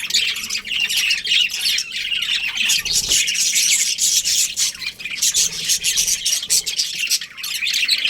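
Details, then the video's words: Chattering budgerigars, a breeding pair, pour out continuous scratchy twitters and sharp squawky chirps in quick succession throughout. "Budgies Chirping Sounds"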